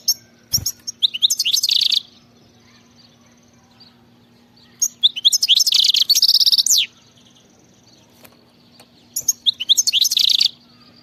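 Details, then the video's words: A European goldfinch delivers khalawi-style song in three dense, tinkling, high twittering bursts, each one to two seconds long and separated by roughly three seconds of quiet, over a faint steady low hum. "غناء خلوي"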